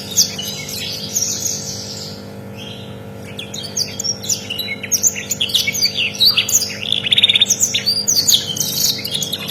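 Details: Tutor recording of a rare canary: quieter opening whistles, a brief lull, then a busy burst of rapid high trills and chirps.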